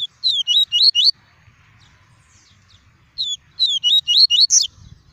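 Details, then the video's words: Double-collared seedeater in a cage giving tuí tuí song meant to warm up and stimulate other birds: two bursts of five or six sharp, high rising-falling whistles, about two seconds apart, ending in a faint rustle. "PAPA CAPIM CANTANDO MUITO! TUÍ TUÍ PURO - ESQUENTE SEU PAPA CAPIM EM 5 MINUTOS!"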